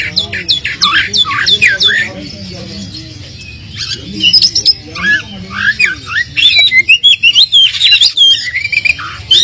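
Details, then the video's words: Oriental magpie-robin singing, played to provoke a less fired-up bird into replying. The song has rapid falling whistled notes, then a pause. A string of sharp, clipped, chattering phrases follows, with some rustling and faint murmuring in the background. "pancingan kacer kurang emosi,dijamin langsung nyaut"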